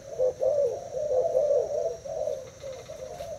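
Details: Thai-type spotted dove in a cage duelling a decoy bird: a few drawn-out, low warbling coos, louder at first and fading toward the end.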